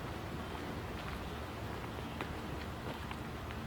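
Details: Steady rain-like hiss, with scattered faint taps and a low rumble throughout.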